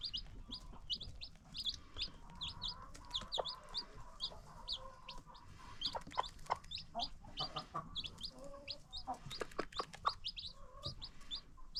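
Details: On a free-range chicken farm, baby chicks peep steadily in high, short falling notes while an adult gives soft low murmuring clucks, with clicks and rustling throughout.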